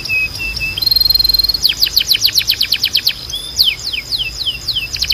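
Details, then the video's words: Canary singing a training song meant to stimulate other canaries: low flat whistled notes, a rising whistle, then a rapid trill of sweeping notes and a slower series of descending slurs, over a constant thin high tone. "Melhor Som de Canário Para Treinar"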